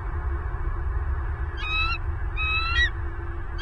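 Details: Southwest Florida bald eagle at the nest, from a live cam on 30 November 2022, first-egg period: after quiet rumbling, two brief bursts of shrill, rapidly stuttered piping notes and the start of a third.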